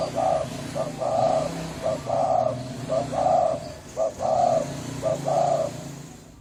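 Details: Hoarse Thai-type spotted dove cooing to excite males and females and draw in wild doves. A steady series of gruff low coos alternates short and long notes in quick succession, over a low hum.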